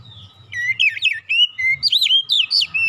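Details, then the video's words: Oriental magpie-robin song used as a relaxed lure recording to get other magpie-robins singing quickly: loud whistled phrases sliding up and down, with rapid looping warbles, slurred notes and a faint steady hum beneath. "kicauan nyantai pancingan ampuh Kacer bahan cepat gacor"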